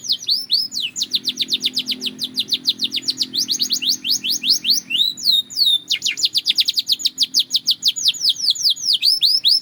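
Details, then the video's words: Belgian canary in sustained song: long runs of rapid, high, falling notes broken by swooping slurs, with a faint low hum underneath. "The Melody That Turns Any Canary Into a Singing Star!"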